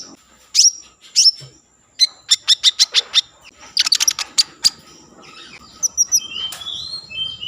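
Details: Common iora singing as a lure for breeding mood and song: a series of sharp, evenly spaced ticking notes and a few high chirps, ending with soft whistled slurs.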